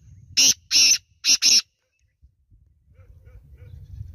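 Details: Black francolin, also called black partridge or kala teetar, giving four loud, harsh, grating notes in quick succession over about 1.2 seconds: two longer notes, then a close-set pair. Low background rumble follows in the quiet afterward.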